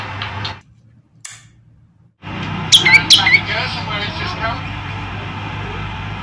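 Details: Male olive-backed tailorbird in full song, a bird later released into the wild in its keeper's home village: three sharp high notes, each sliding down to a short lower whistle, follow a silent gap amid a steady noisy hum.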